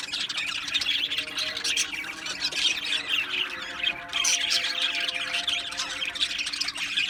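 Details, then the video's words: Budgerigars in an aviary colony keep up a constant, crowded chatter of scratchy squawks and high chirps, with a faint steady hum underneath. "Beautiful Australian Budgie birds Chirping Sounds"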